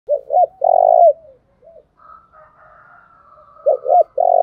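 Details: Spotted dove decoy bird calling to lure and provoke wild doves into cooing; two low cooing phrases, each of quick stuttered notes then a long sustained coo, with a fainter distant coo sequence between them.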